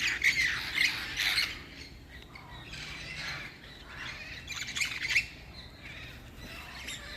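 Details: Wild green parrots that fight in the trees in the evening: harsh, raspy squawks in bursts of a second or so, loud then quieter, outdoors with a faint steady high hiss.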